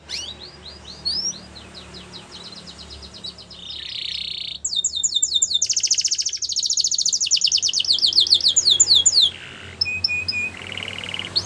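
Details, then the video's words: Yellow Belgian canary song amid a low background hum: quiet descending sweeps and trills building into loud fast rattling phrases, buzzy bursts and rising whistles over about eleven seconds. "Yellow Canary Singing In The Wild | Belgian Canary Song"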